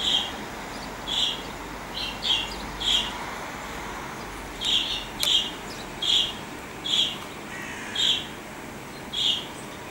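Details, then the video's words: Fieldfare, recorded 23 July 2015, giving short, harsh call notes, singly or in quick pairs, about every second over a steady low background hiss. "Grive litorne Field thrush سمنة الحقول"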